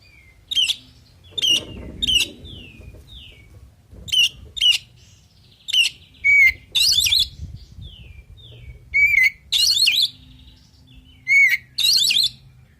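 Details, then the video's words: Calling a rival to answer, a male oriental magpie-robin sings strings of sharp chirps and falling slurred whistles, broken by harsh scratchy bursts and occasional flat whistles, with soft rustling and a low hum beneath. "Suara Burung Kacer Full Isian Di Jamin Langsung Saut Sautan"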